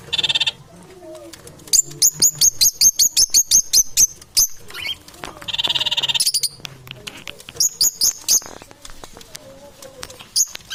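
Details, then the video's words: Parrots competing for survival: rapid series of sharp, high, clicking chatter notes, about 150 per minute, alternating with harsh broadband screeches. "Competition for survival Parrot."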